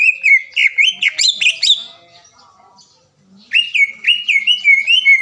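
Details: Green leafbird lure song to make a rival sing immediately: loud, rich whistled phrases with rapid warbled chirps, a short pause, then another run of strong rolling whistles.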